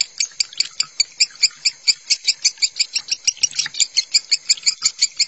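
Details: Konslet-style lovebird song used as masteran tutoring: dense, shrill chattering with nearly thirty high chirps packed into five seconds, fast and continuous with a few overlapping squeaks.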